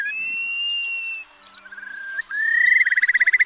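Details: Eurasian curlew used as a lure for night netting during the August 2024 migration: one long level whistle, soft broken notes, then a rising whistle that quickens into a bubbling trill.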